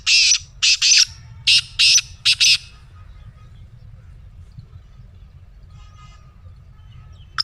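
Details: Black francolin call phrase: six loud, harsh, grating notes fired in uneven pairs over about two and a half seconds. Then near silence with faint low background noise and one last sharp note.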